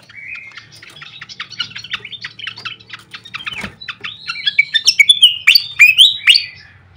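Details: Fantail flycatcher lure sound: a long stream of quick, clicky chirps at steady pace, ending in louder sweeping whistles and sharp upslurred notes.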